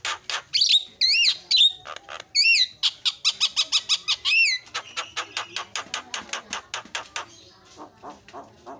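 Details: Lure track of a Javan myna to make other birds sing emotionally: loud looping whistles that rise and fall, followed by a fast steady train of clipped chattering notes fading toward the end.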